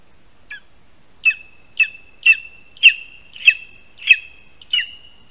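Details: Lesser spotted eagle at a spruce-tree nest in Latvia bringing its first prey, a rat, with a handover on the tree at 1:38 PM, 22 August 2021; seven sharp, high yelping notes spaced roughly every 0.6 seconds, steady in pitch, in a quiet setting.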